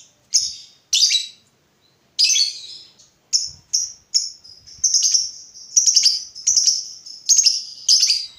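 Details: Lovebird 'ngekek panjang' lure: a few separate shrill, buzzy chirps give way to continuous chattering trills, running almost unbroken through the second half.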